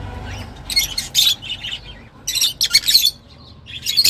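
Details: Lovebirds calling, a sound described as pleasant but rather sharp indoors: two clusters of shrill, rapid chirps and squeaks separated by a brief quiet gap.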